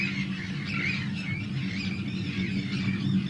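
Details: Arctic terns calling at a large breeding colony of hundreds of birds on Rottumerplaat, Groningen, the Netherlands, on 4 June 2023; harsh overlapping squealing calls from many birds over a steady low rumble of wind or surf.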